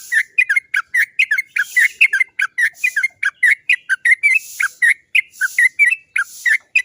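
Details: Lively Sooty-headed bulbul, played to coax others into singing: rapid chattering notes delivered in a continuous run, with faint hissy background noise.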